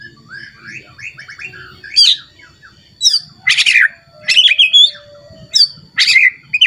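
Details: White-rumped shama, agitated and searching for a rival, singing emotionally and showing off a rich repertoire: harsh, loud broadband bursts about once a second, mixed with softer chirps and short whistled notes, in a quiet room.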